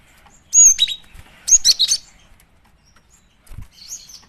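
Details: Female cinereous tit call used as a lure: a high, thin chirp, then a quick run of three or four sharp, bright notes, followed by quiet and a faint later twitter.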